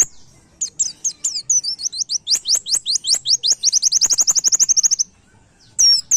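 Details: White-eye singing in the rapid 'nembak' style, used as a master song for training cage birds: a fast, accelerating run of high, sharp, slurred chirps that merge into an even rattling trill, then stop. A brief chirp follows after a pause.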